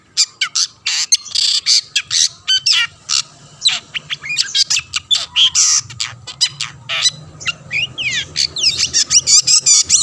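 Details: Long-tailed shrike singing energetically to lure other shrikes: a dense stream of harsh, scratchy squawks and sharp chirps for ten seconds, ending in rapid whistled, slurred mimic-like notes.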